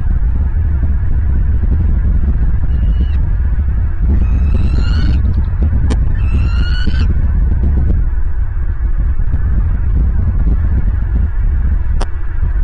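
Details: Bald eagle at its nest in Southwest Florida, nest camera, 23 January 2023, mid-morning; two back-to-back bright rising harmonic calls near the middle, a faint earlier note and a few sharp knocks, beneath steady rumbling wind.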